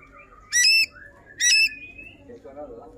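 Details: Ashy drongo singing energetically and showing off its range of song phrases, used as a master recording for training songbirds: two loud, ringing whistled notes about half a second apart, then a softer rising thin whistle and faint low background sounds.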